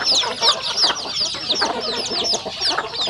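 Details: Farm chickens eating at a rural home: a steady stream of sharp, high, falling peeps, roughly three a second, over a low murmur of softer clucking.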